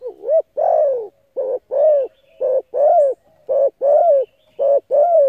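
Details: Spotted dove cooing to lure and stimulate decoy birds: quick run of low, mellow two-part coos, each dipping then rising, repeated almost continuously with short gaps.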